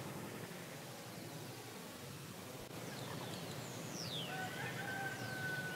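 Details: Iberian grey shrike (Lanius meridionalis) calling in winter at a wetland in southern Spain, 26 December 2011: after steady rural hiss, quick high downslurred whistles, then two flat, drawn-out whistled notes at different pitches.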